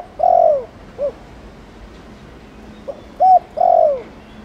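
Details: Spotted dove with chiêu and gù calls to set young doves cooing. A long falling coo and a soft note, a pause, then a pickup, a short hoot and another drawn-out descending coo.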